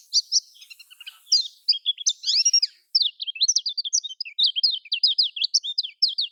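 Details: Lemon-bellied white-eye (kecial kuning) in its Lombok-style song, a lure for caged birds that will not sing. Bright, fast twittering, with some warbled notes early on, then steady rapid high slurred chips for several seconds.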